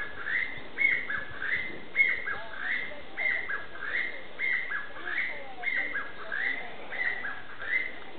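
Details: Chinese bamboo partridge calling suddenly at fairly close range in woodland of a park's ecological garden gives a long, insistent run of loud, ringing two-part phrases, repeated quickly and steadily, over a low background rumble.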